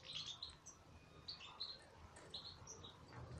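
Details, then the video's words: In an aviary, European goldfinch notes ring out as short, clear, high chirps, some upslurred and some downslurred, spaced irregularly about every quarter to half second against a faint background hum. "مقطع رائع لطائر للحسون فى السلاكة"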